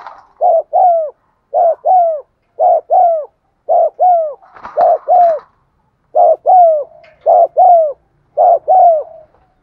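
Spotted dove giving low, mellow coos in quick paired notes, the phrase repeated about once a second.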